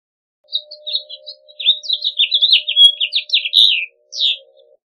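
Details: A House Finch delivers one long run of quick, varied chirps and slurred warbles, building in loudness through the middle, then a short pause and a single closing note.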